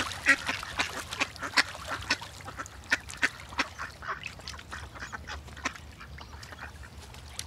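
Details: Ducks swimming together on the water near great white pelicans, calling as a flock: sharp, short quacks repeated about twice a second, loud at first and gradually thinning and fading toward the end.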